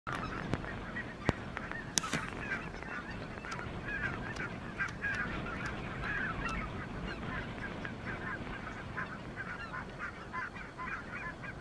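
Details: A single red-breasted goose from the Siberian tundra, wintering among thousands of white-fronted and barnacle geese at Bislicher Insel near Xanten; dense chatter of short, high, squeaky calls, sharp clicks and a low background rumble.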